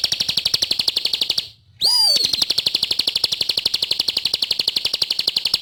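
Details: ['Bar-winged prinia singing vigorously: a dense, high, buzzy chatter of rapid repeated notes. A brief gap follows, then a quick downward-sliding whistle, and the steady rattle resumes.']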